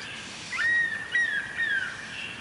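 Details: Perched above a pond at daybreak, a stork-billed kingfisher gives three drawn-out whistles, each opening with a quick upward flick and then sliding gently lower, spaced about half a second apart over quiet ambient noise.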